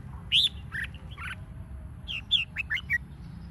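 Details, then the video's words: Red-whiskered bulbul in competition song, used to spur other bulbuls into singing: a loud whistled opening note, then scattered chirps and a rapid run of four or five sharp, bubbly notes near the end, with a steady low hum behind. "Chào mào mồi hót | Kích chào mào hót đấu"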